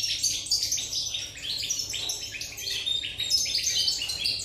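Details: European goldfinch recorded on 8 November 2019, singing a fast, continuous twittering song of bright chirps, trills and liquid notes, high-pitched and tumbling with little pause, over a faint low hum.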